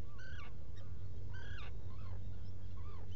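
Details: Black guillemot at its nesting burrow on Seal Island NWR, Maine, recorded by a burrow camera on 07-05-2018 between 06:41 and 07:41: a series of short, thin, rising harmonic notes, some clipped and some drawn upward, over a steady low rumble.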